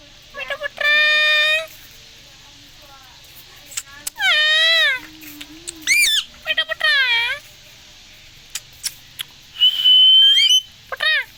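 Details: Indian green parrot, a talking rose-ringed parakeet kept as a pet, uttering a series of loud, nasal, meow-like harmonic calls with rising and falling sweeps, interspersed clicks, and one long steady whistle.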